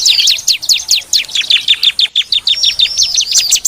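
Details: Bar-winged prinia lure sound: rapid, evenly spaced high notes dropping steeply in pitch, about five per second, with a faint background hiss.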